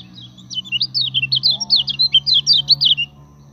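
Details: Common iora singing steadily as a lure to train other birds: a rapid string of about eighteen high, sharp zigzag whistled notes over two and a half seconds, with faint low tones beneath.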